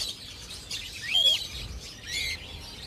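Cockatiel giving a short, arched whistle that rises and falls, with a few softer high chirps before and after against a quiet background.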